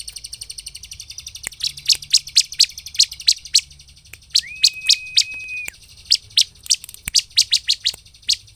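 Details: An actively singing bar-winged prinia, used as a lure to provoke other prinias, gives a loud, rapid series of sharp, high chirps, about four a second, broken once by a long, steady whistled note.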